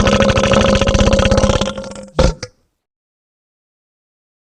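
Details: A rattling mechanical clatter over a steady hum, ending in a short thud and then silence.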